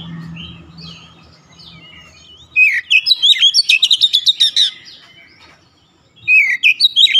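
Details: Oriental magpie-robin (kacer) singing for stressed birds: soft distant warbles and a low hum at first, then a sudden loud run of rapid, high staccato chirps, a brief gap, and a fresh burst.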